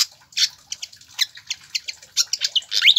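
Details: Lively pied fantail singing for training caged birds: rapid squeaky, chattering notes repeated several times a second, ending in a loud upswept whistle.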